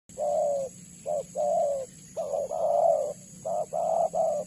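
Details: Spotted dove (tekukur) call used as a lure for trapping doves: low, mellow coos in short and longer notes, grouped in phrases, over a steady high-pitched electronic hum.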